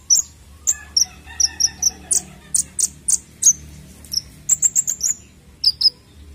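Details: High-pitched konin bird chirps used to stimulate young birds: sharp, thin notes repeated at an irregular pace, some in pairs or quick runs, with bright whistled chips throughout.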